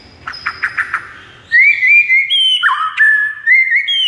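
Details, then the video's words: White-rumped shama song meant to rouse a silent bird: a few soft buzzy chips, then loud, clear, sliding whistles that step up and down between phrases without pause. "JADIKAN MURAI BATU BISU LANGSUNG NGAMUK DAN GACOR MENDENGARNYA"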